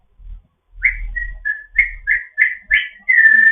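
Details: An African grey parrot in foster care, chatting in the morning with a run of short whistled notes at a steady mid pitch, about seven in quick succession, ending in a longer held whistle.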